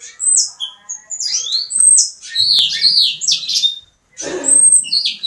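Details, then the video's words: Pet Mexican house finch, ready for mating, delivering a lively run of high twittering, slurred and whistled notes in several bursts, with a brief rustle or click midway and a short pause before the last phrase. "My Mexican house finch ready for mating"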